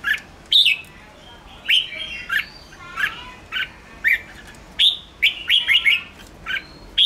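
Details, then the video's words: Bulbul with red whiskers delivering the intense 'ché' song meant to provoke birds; quick liquid whistles and rising slurred notes, some bursts of three or four chirps close together. "Chào mào ché kích bổi căng lửa/Kích chào mào nhanh ché/kích bổi xổ bọng"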